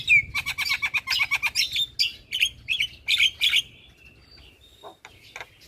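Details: Javan myna singing nonstop, very chattery: a rapid series of harsh, buzzy high notes over a steady whistled tone, pulsing about three times a second, then a pause with a few faint notes.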